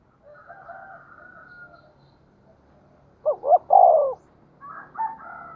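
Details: Decoy spotted dove cooing to lure wild birds: faint, thin whistled notes at first, then one loud low coo of two short hoots and a longer drawn-out note, followed by quieter tonal calls.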